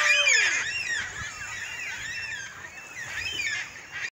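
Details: A flock of black cockatoos at Eastbourne Ave on 21 August 2021, calling together: harsh, wailing cries overlap one another, loudest at the start and continuing throughout.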